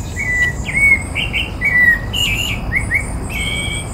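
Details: Rufous-bellied thrush song recorded 14 October 2017 at the Botanical Garden in Porto Alegre, Brazil: a varied string of short whistled phrases, some slurred down and some rising, about one each half second, with faint high chirps behind.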